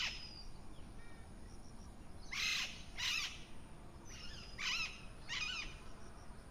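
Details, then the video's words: Parrot heard in the morning giving a series of five rasping, broadband squawks in loose pairs over about four seconds, with faint high chirps from other birds and a soft background hiss. "Parrot Sounds Morning View"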